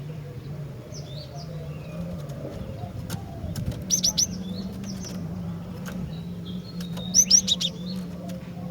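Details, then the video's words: Javan sparrow female calling to males: two short clusters of high, ringing notes several seconds apart, softer chirps scattered around, and a steady low droning hum throughout. "Kicauan Glatik Betina Gacor Dor, Cepat Bikin Glatik Jantan Bahan Ombyokan Langsung Cepat BUNYI GACOR"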